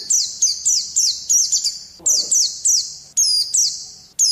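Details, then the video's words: Pet Oriental white-eye song for training lazy birds to sing: rapid bursts of piercing high chirps and descending sweeps, packed closely together with brief pauses and a faint low rustle in the middle. "Pleci malas jadi ngalas || TERAPI PLECI"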